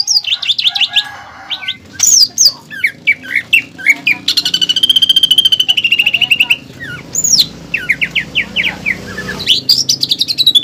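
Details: Caged greater green leafbird, known locally as cucak ijo, singing a master song with a woodpecker-style fill for training birds for contests: bright whistled slurs, sharp chips and a long fast rattling trill in the middle.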